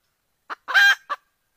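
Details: Female red junglefowl calling to draw a rooster in, 17 February 2021: one short cluck, a loud drawn-out harsh squawk, then another soft cluck, in quiet surroundings.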